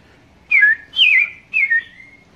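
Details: Red-crested cardinal in Princeville, Kauai, Hawaii, 2015, a regular visitor, giving three loud whistled notes about half a second apart, each sliding down and trailing off, against a quiet background.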